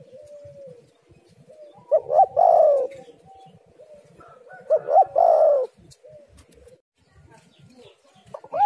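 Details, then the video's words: Tekukur, or spotted dove, giving a lure call meant to attract other doves. Two phrases about three seconds apart each pair short upswept notes with a drawn-out burry coo, over soft low rustling, and another phrase begins at the end. "tekukur super gacor suara indah"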